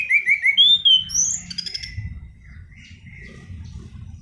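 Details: Black-throated laughingthrush in loud, rolling 'gacor ngerol' song, used as lure and tutor for training birds: a run of quick downslurred whistles, a long clear whistle, then a rapid buzzy trill; low background rumble.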